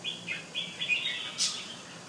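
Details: Short, quiet snatch of a displaying male Penang bulbul at home, with a string of level whistled notes and a slight slur, ending in one brief noisy burst.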